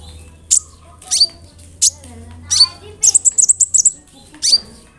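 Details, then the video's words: Kolibri ninja, a sunbird, calling to draw responses from other sunbirds: scattered high sharp notes with falling slurs, then a quick run of about eight bright ticking chips, followed by another downslurred note. "SEMUA BURUNG KOLIBRI NINJA AKAN NYAUT DENGAN SUARA KONIN INI"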